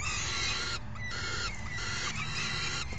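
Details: Hungry falcon young call as one adult delivers dinner and the other feeds them, 3 June 2018; harsh overlapping screeches with a short dip in the chatter partway through, steady background hum.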